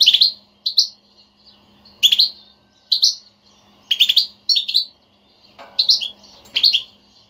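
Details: A European goldfinch batbata used to set off a silent goldfinch: twittering phrases of two to four bright notes, recurring roughly every second and a half, above a constant faint low hum.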